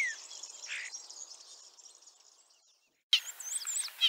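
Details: Common starling singing in Liepāja, Latvia, a ringed bird with an injured leg arriving 25 March 2023: a soft fading warble of hissy chatter, then after a brief break sharper looping whistles and clicks.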